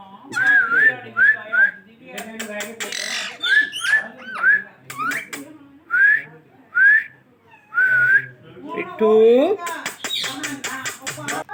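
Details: Talking parrot giving a string of short rising whistles, some paired, broken by harsh scratchy bursts. A louder squawking, chattering passage near the end ends the run; music is faint in places.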